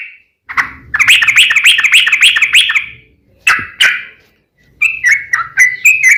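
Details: Sooty-headed bulbul singing: a lone note, then a two-second rush of quick warbled notes, two loud single calls, and a rising chain of short phrases.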